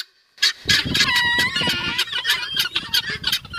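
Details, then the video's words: Guineafowls calling: after a short silence, a dense, raucous chatter of rasping, clipped notes repeated about three times a second, with overlapping callers and a few brief tonal whistles mixed in. "Guineafowls | Natural Sound Effects"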